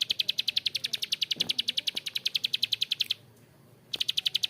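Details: Bar-winged prinia in its rough ngebren style: a run of crisp high clicks, about three and a half per second, stopping for nearly a second before starting again.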